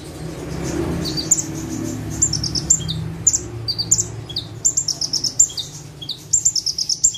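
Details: Bar-winged prinia (prenjak tebu) perched in one place, singing hard in full tembakan style; a quiet rustling opening gives way to rapid high chattering chips and shrill twitters, building to a dense fast run near the end.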